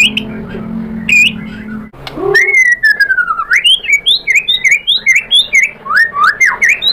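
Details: Provoked white-rumped shama song: a long clear whistle sliding down and up, followed by a string of quick looping whistled phrases, with a low hum early on.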